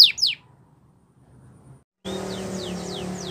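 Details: Spanish Timbrado canary singing a training song: two sharp descending chirps open, a silent gap follows, then faint repeated downward-sweeping whistles over a low background hum.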